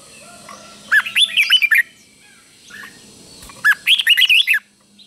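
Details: Two clear phrases of warbled, up-and-down whistles, a caged red-whiskered bulbul's doubled song sung for young birds to copy, separated by nearly two seconds of quiet hum.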